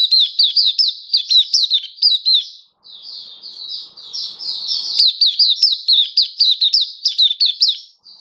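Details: Hobby-kept Oriental white-eye delivering a long, lively sequence of high, sweet, quickly repeated slurred chips and twitters, with one brief silent gap midway.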